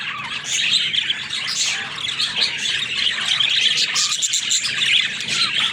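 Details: Pet budgerigars twittering and warbling together, sweet chirps and buzzy squeaks overlapping densely and evenly for several seconds.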